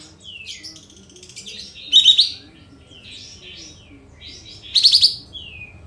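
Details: Sooty-headed bulbul of the kapas tembak style, tail spread, singing as a lure recording; soft twittering phrases broken by two loud rapid trilled bursts roughly three seconds apart.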